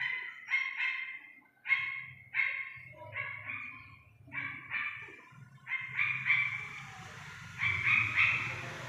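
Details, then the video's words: Paired nasal harmonic notes from an Iranian partridge chick repeat steadily, about two or three per second, over a low rumbling background noise that grows, with a hiss near the end. "ایرانی تیتر کے بچے کی اصلی آواز"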